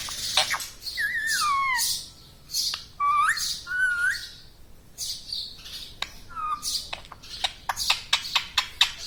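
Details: Pet parrot imitating speech, words like mummy, papa and radhe radhe; several wavering, voice-like phrases followed by sharp clicks and short squawky notes in a small room.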